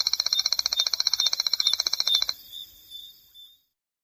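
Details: Dry, high trill of a Striped Crake, a small brown marsh crake: fast ticking pulses for about two seconds, then stopping abruptly and fading into silence.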